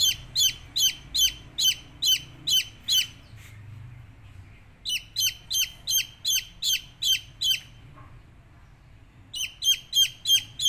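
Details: Chicks give bursts of sharp, high descending peeps in quick regular series, broken by two pauses of about one to two seconds, with soft low background rumble.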